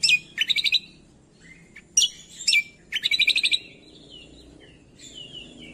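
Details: Cucak kombo song used as training masteran to prompt reluctant birds to sing: bright high chirps and quick rattled trills in bursts, separated by softer sliding whistles and short pauses.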